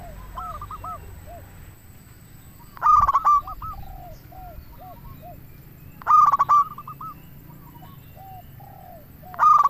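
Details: Local zebra dove singing actively, used to lure other zebra doves and prompt them to answer: loud stuttering bursts with crackly overtones, then soft low coos, repeated about every three seconds. Fainter lower coos fill the gaps.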